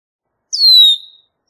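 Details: Red-winged blackbird giving a single thin, high whistle that slides downward and trails off, about half a second long, against a silent background.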